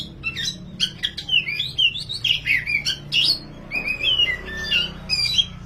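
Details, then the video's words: Oriental magpie-robin, dahit or wulung variety, singing a vigorous 'gacor ngobra' tutor song: a rapid stream of varied whistles, slurred up-and-down notes and sharp chips, with short pauses between phrases and a faint low hum behind. "MASTERAN BURUNG KACER DAHIT/WULUNG GACOR NGOBRA"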